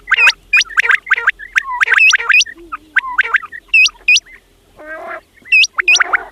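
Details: Fat quails calling: rapid bursts of hooked, high whistled notes and harsher chattering, many overlapping in quick runs, with a brief nasal buzzy call near the end and gaps of silence between bursts.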